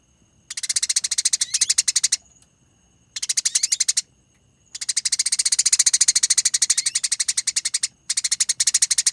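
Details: Fighting Eurasian tree sparrow used as a training recording for caged songbirds: long rolling bursts of rapid, shrill chirping notes, tightly packed and sustained for several seconds, separated by short silences with a faint thin tone between them.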